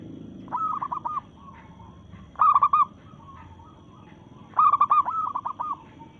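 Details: Local-strain zebra dove in breeding mood singing to challenge rivals: bursts of quick, bubbling cooing notes, each phrase a rapid stuttering run of about five to eight beats, repeated every two seconds, with fainter cooing between phrases.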